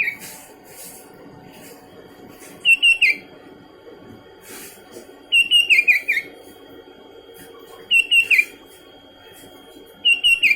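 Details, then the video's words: Sooty-headed bulbul calling continuously: four separate bursts of bubbly, liquid whistled notes, each a quick run of three to five slurred phrases falling in pitch, with gaps of a few seconds and a faint steady high tone behind. "Burung kutilang berbunyi terus menerus"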